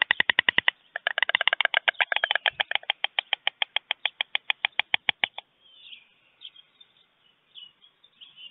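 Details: Dawn greeting between two adult white storks on a German nest, 24 June 2020, 5:38 a.m.: a fast, hard clattering of bills, a burst of clicks that slows and spaces out before stopping after about five seconds, followed by faint rustling.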